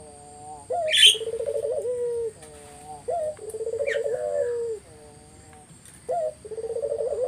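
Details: Spotted dove song used to lure other doves into answering: three phrases of a short upslurred coo leading into a rapid purring trill and a falling tail note, with an occasional sharp chirp from another bird.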